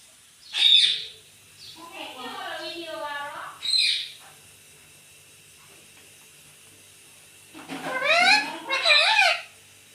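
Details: Talking pet parrot, indoors, said to say "Mummy". A sharp chirp, then a gravelly, word-like phrase, another chirp, and a pair of loud, buzzy squawks, over a steady background hiss.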